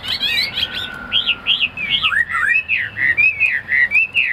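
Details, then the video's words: Tame caged Chinese hwamei singing short, evenly spaced whistled phrases, each a bright arching slur, repeated rhythmically and dropping slightly in pitch midway before rising again. "Hoạt Họa Mi"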